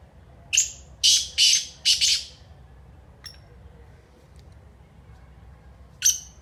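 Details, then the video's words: A black francolin (kala teetar) delivers its grating call: a high clipped note and three rasping bursts, then a pause of a few seconds broken by faint ticks before another sharp high note starts a new phrase. "BLACK FRANCOLIN ( KALA TEETAR) AMAZING VOICE"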